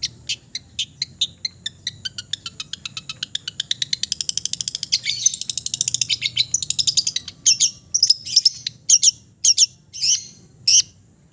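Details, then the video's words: East Java long-tailed shrike giving a relaxed song full of imitated fill-ins: a long run of high ticking notes that speeds into a dense chatter, then loud, spaced harsh bursts. "KICAU SANTAI CENDET JATIM GACOR FULL ISIAN"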